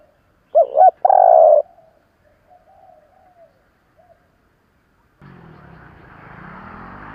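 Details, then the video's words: One loud spotted dove phrase, a double hoot and a sustained coo, used to stir decoy birds, followed by faint low notes and then a burst of broad rushing noise. "Tiếng chim cu gáy kích bổi nhanh nổi mới 2021"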